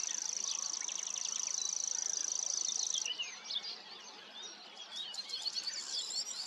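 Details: Common grasshopper warbler: a high, even, mechanical reel for about three seconds that stops abruptly. Then come varied chirps, slurred whistles and twittering from other birds, with light background noise.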